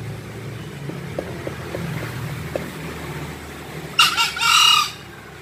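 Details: Faint clicks and low hum lead up to a green junglefowl crow near the end, a short harsh note and then a longer hoarse note.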